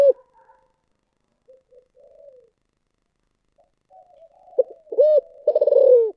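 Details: Spotted dove in the thổ sấm coo style: soft scattered low notes, then a loud burst of a sharp note, a rounded hoot and a long vibrating coo that slides downward. Quiet background.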